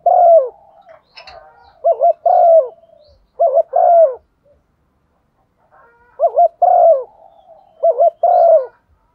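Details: Lure recording of a female spotted dove in 'thúc gù' calling style. Several low mellow phrases come in bursts, each made of short wavy notes and a sustained slightly falling coo, with softer murmured coos in the gaps.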